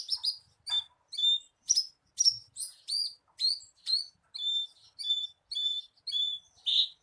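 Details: Lure recording of a Javan bushlark for prompting a captive bird to sing: a series of high, clear whistled and chirping notes, about two a second, varied in shape, ending on a fuller note.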